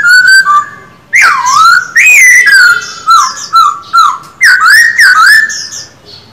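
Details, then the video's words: Caged male Black-throated Laughingthrush practising its song gives powerful whistled notes. Each swoops down and then up, in bursts about half a second apart. "Khướu bạc má hót quá đỉnh, 60 phút luyện giọng mỗi ngày."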